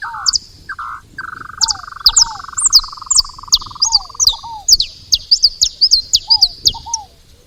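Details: Saffron finches making noise at a feeder: quick, sharp, high falling chips in uneven runs, while a long, steady, buzzy trill runs through the first half and lower slurred double notes recur.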